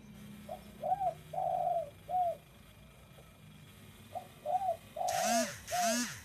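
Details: Spotted dove cooing indoors: soft, low, rounded coos in two phrases of about four notes, the last note of each phrase longer. A loud, buzzy mechanical whine rises and falls near the end.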